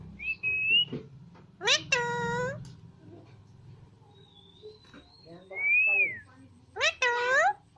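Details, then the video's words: Alexandrine talking parrot giving a mix of short sounds: a brief rising whistle, two loud harsh calls rich in overtones, a thin high whistle, and a falling clear whistle, separated by quiet gaps with faint low background hum. "So A Nice Voice Of Alexandrine Talking Parrot"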